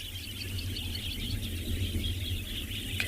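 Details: At sunset in Tswalu Kalahari Reserve, South Africa, a distant flock of wattled starlings settling down for the evening makes a dense chatter of high, squeaky chirps over a low engine-like rumble.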